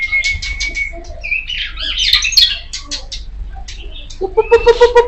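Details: Loud kacer poci magpie-robin song opening on a level whistled note, followed by a scratchy, jumbled burst of harsh chattering, then a quick series of five or six lower, evenly spaced piping notes at the end over a low background hum.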